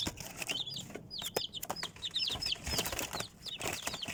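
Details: Small chicks peeping: clusters of sharp, upward-sliding cheeps come in quick runs, mixed with pecking and rustling sounds.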